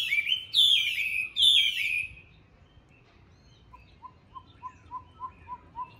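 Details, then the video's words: Chinese hwamei, a tame caged fighting bird from Hanoi, Vietnam, delivers three loud, harsh descending whistled phrases, followed by silence and then a steady series of soft evenly spaced ticks. "Mi đẹp thuần đấu tốt"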